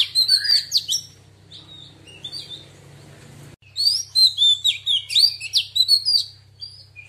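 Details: Female Oriental magpie-robin gives wild-style song to rouse males: quick sweeping whistles and chips, a quieter stretch, then a second vigorous run of slurred rising and falling notes, with a constant low electrical hum beneath.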